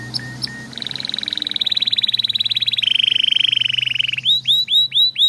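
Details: Captive canary gives two short notes, then a long fast buzzy trill that steps down in pitch midway, closing with loud curved whistled slurs repeated about once a second.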